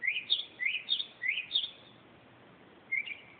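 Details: Northern mockingbird singing at night, 2:30 am: a bright high phrase of rising, looping whistled notes given four times in quick succession, a pause, then a new whistled note, over faint steady background hiss.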